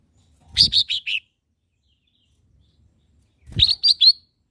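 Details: Lesser green leafbird, a master song for training caged birds: two short bursts of four quick, bright chirped notes each, about three seconds apart, each burst opening with a soft low thump, with silence between.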